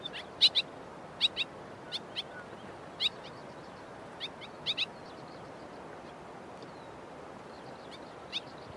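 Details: White-throated Swallow giving two different vocalisations: short, sharp, high chirps, some doubled, at an uneven pace, over a steady soft background hiss.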